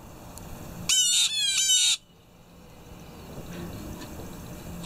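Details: Blue jays heard as loud morning birds: one rapid burst of about four harsh, ringing notes lasting a second, each dipping slightly in pitch, followed by quiet background hiss.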